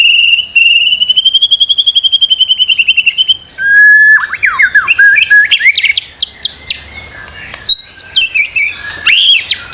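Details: White-rumped shama song used as master material to make birds sing: a long, even, rapid trill slowly rising and falling, then a burst of varied twisting whistles and clicking notes.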